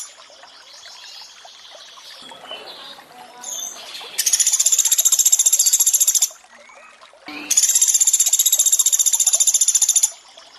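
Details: Sunda pygmy woodpecker 'tembakan' calls over trickling water, made as training material: two separate bursts of high, dry, fast rattling trill, each about two to three seconds long, with flowing water between.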